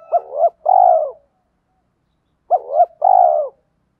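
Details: Decoy spotted doves, male and female, giving provoking fighting coos to draw wild birds into answering: two phrases, each a short double-looped note followed by a long, low, throaty coo, about two and a half seconds apart, with silence between.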